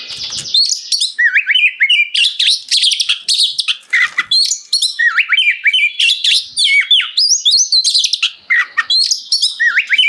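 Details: Continuous, open-voiced singing from an oriental magpie-robin, used as tutor song to get other magpie-robins replying: clear looping whistles that rise and fall, quick repeated phrases and scratchy notes, delivered almost without a break.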